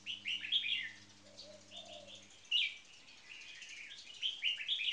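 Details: Caged red-whiskered bulbuls, one a marathon frequency singer and one newly caged. Repeated chirpy warbled phrases in several bursts, a soft low swooping note early on, and a hum that stops midway.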